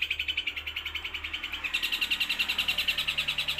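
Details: Long-tailed shrike singing loudly and continuously in 'los trotol' style: a fast, even rattle of harsh pulses, about three to four per second, growing brighter and denser halfway through.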